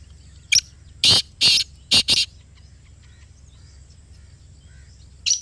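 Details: Black francolin (black partridge) calling at close range in Pakistan: a short harsh opening note followed by four loud, rasping, buzzy notes in a quick phrase, with a new phrase starting near the end. The background is otherwise quiet.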